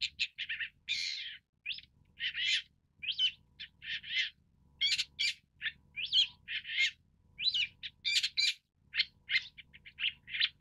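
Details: A Long-tailed Shrike (Lanius schach) gives a steady stream of short, scratchy and whistled notes, several each second, varied and chattering, with no other clear sounds.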